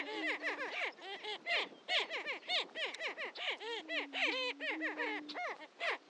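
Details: Many greater prairie-chickens cackle together on the historic Dunn Ranch Prairie lek in Hatfield, Missouri: dense, sharp, arched yelps in quick pulses over a steady low moaning tone.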